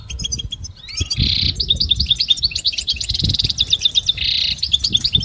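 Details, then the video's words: Goldfinch singing a motivational training song, recorded in a quiet setting: rapid high twitters with repeated buzzy bursts and liquid chirps, continuous and lively throughout, faint low rumble beneath. "listen to the most beautiful motivational"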